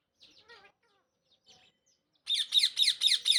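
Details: Talking rose-ringed parakeet: a few soft, harmonic, speech-like murmurs, then a loud run of harsh, rasping screeches repeated about twice a second.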